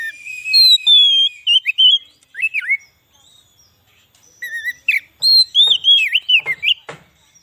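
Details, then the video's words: White-rumped shama song used as a lure for wild shamas: long, clear whistled phrases with sliding and looping notes, a brief pause, then a fast run of varied whistles. "suara burung kacer cocok buat pikat burung kacer di huta liat dan cocok buat menaikan emosi kacer"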